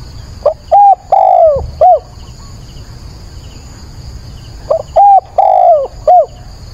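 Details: At dawn on 22 October a decoy spotted dove calls to challenge wild doves: two matching phrases about four seconds apart, each a short coo, a steady coo, a long falling slurred coo and a brief final note.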